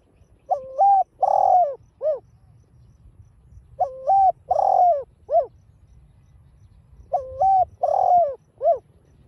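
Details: Spotted dove calling in the 'đồng pha' voice style used to stir caged birds: three identical phrases, each a stepped two-part coo, a longer slurred note and a short arched ending, about every three and a half seconds.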